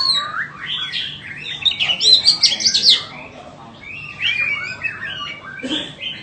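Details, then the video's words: White-rumped shama offered for sale sings a busy burst of high chirps and trills, loudest in the middle, then softer scattered whistles and a brief rough note near the end. "Chích choè than bông"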